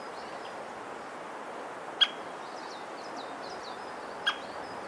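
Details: In Hokkaido, a White-backed woodpecker of the Ezo subspecies gives two abrupt kyo calls about two seconds apart, while soft high twittering of other small birds runs underneath; Nikon COOLPIX P950 recording.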